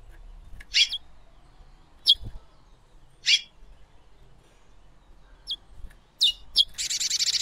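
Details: Female chestnut-bellied seed finch giving sharp single chip notes spaced one to two seconds apart, ending with a burst of hissing noise.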